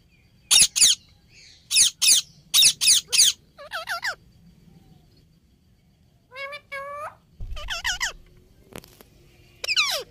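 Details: Indian ringneck parakeet talking: several pairs of harsh, clipped high squawks, then rippling, speech-like syllables with curving pitch, more squawks and a bend-down note at the close; soft low rumble in places.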